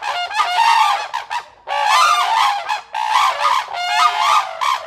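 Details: A pair of Black-necked cranes calls in a territorial display, showing their pair bond to a neighbouring pair of red-crowned cranes. They give loud, harsh trumpeting calls in three overlapping bursts separated by short pauses.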